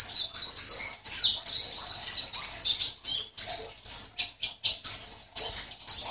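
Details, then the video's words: Contest white-eye, caged, from Sambas in West Kalimantan, Indonesia, pours out a dense, lively warble of very high squeaky notes, with some slurred downward glides among the quick chirps. "LOMBA PLECI ONLINE 16 - Aksi Pleci"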